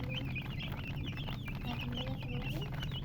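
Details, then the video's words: Baby chicks chirping busily, rapid high slurred peeps overlapping densely over a heavy low rumbling hum. "MURGI Baby "Chicks Chirping" Sound"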